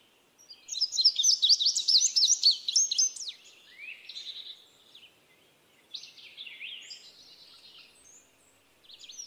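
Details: Indigo bunting delivering a rapid run of paired high sweeping notes, followed after pauses by shorter buzzy slurred phrases in a quiet setting.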